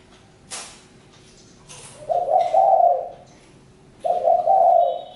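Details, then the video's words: Spotted dove giving two low, husky cooing phrases, each about a second long and roughly two seconds apart, preceded by a couple of sharp clicks. "Chim cu gáy-Đam mê tiếng chim cu"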